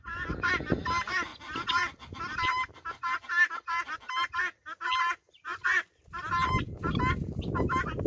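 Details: Farm guinea fowl trailing a hen, uttering a fast series of harsh, creaky, evenly spaced calls, roughly one and a half per second, with short quiet gaps and low background rumble at the end.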